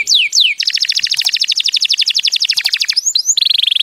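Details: Canary opens with two falling whistles, then a long rapid rolling trill of about four notes per second, ending in quick chirps and a higher, finer trill.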